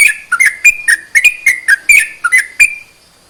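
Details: Sooty-headed bulbul singing to stir other bulbuls into song; a short burst of clear, clicked whistles, repeated quickly, then fading into silence near the end.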